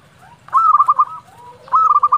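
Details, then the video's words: Singing local zebra dove whose song is meant to provoke rivals to answer; two quick stuttering bursts of bright coos, separated by a soft lower gliding note, low hum beneath. "Perkutut lokal gacor Suara ini sangat cepat bikin lawan nyaut"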